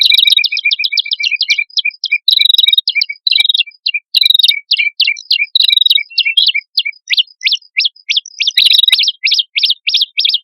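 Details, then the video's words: A male and a female prinia singing vigorously, played as a bird lure: long runs of rapid, evenly spaced high 'tsip' notes, at times merging into buzzy trills, carrying on without a break. "Suara Prenjak Kepala Merah Jantan Dan Prenjak Kepala Merah Betina Gacor Pancingan Burung Ombyokan"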